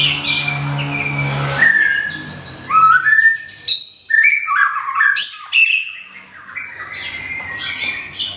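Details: Captive white-rumped shama, Thailand, newly moved and regrowing feathers, sings loud fluty whistles and crisp chattering bursts with short silent gaps, a low droning hum audible only at the start.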